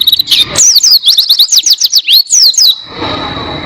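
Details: Oriental white-eye (pleci), a clear tutor recording for training songbirds: a dense string of very high, quick chirps, each falling in pitch, lasting about two seconds before fading into faint hiss.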